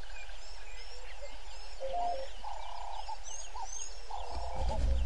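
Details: Yellow-billed hornbill at Gowrie dam waterhole, Djuma Game Reserve, Sabi Sand Wildtuin, South Africa, at 06:48 on a live camera; gobbling, clucking notes in short spells, other birds chirping high above and a low thump near the end.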